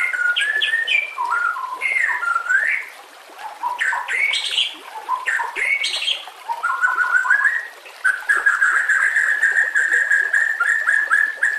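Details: Murai batu (white-rumped shama) in rough rapid training-song style: jumbled scratchy mid-pitched phrases with abrupt high accents. These give way to a long, even, fast trill held on one pitch.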